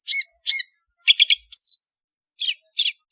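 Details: Long-tailed shrike lure call meant to draw birds together: a series of short, harsh chattering notes in quick succession, some doubled and triplets, with one higher buzzy squeal in the middle.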